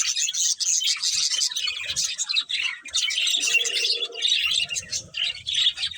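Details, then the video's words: Budgerigars chirping: a dense, continuous stream of high, scratchy warbles and quick tweets, with occasional brief lower tones beneath the chatter. "Cute Budgies Chirping Sounds"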